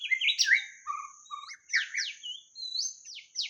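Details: Lure song of a white-rumped shama: fast, varied whistles, with sharp downslurred notes, low fluty phrases and bright rising whistles packed closely together, over a steady faint high hiss.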